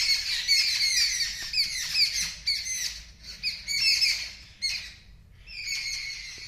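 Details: Many birds cry out at a kitten in harsh, high-pitched squawking bursts, intense at first, then broken into separate loud outbursts with short quiet gaps.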